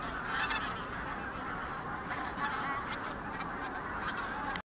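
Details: Wild geese crossing above Lake Nysa, Poland, 31 January 2021; a softer, more distant chorus of overlapping honking calls runs steadily before stopping abruptly at the end.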